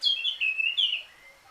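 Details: Short phrase from a Eurasian blackcap, rich warbling whistles that dip and rise in quick succession before fading out.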